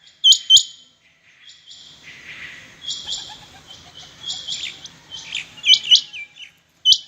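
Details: Rain quails calling against each other in a contest: several birds give sharp, high paired notes, some overlapping, with quieter chirping and soft background murmur between the louder bursts.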